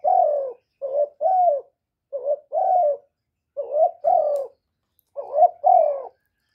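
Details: Spotted dove calling to spur other kept doves into cooing: a series of low two-note phrases, short then longer and falling, repeated about every 1.3 seconds in a clean recording.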